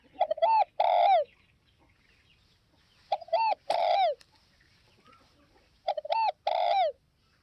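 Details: Three repeated spotted dove phrases from Vietnam's northwest: brief rising double note, then a long sliding coo, spaced about three seconds apart over a quiet background.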